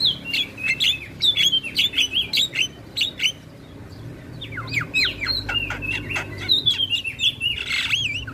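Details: Black-winged starling song meant as training audio for other songbirds: long run of sharp chattering notes and rising, falling whistled slurs, with a brief warbled phrase near the end.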